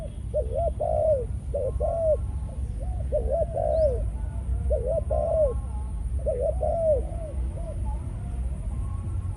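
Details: Captive male Malaysian-strain spotted dove kept as a decoy bird, entering breeding mode after feeding on the ground. It gives mellow cooing phrases in repeated bursts of two or three notes, over a steady low rumble of background noise.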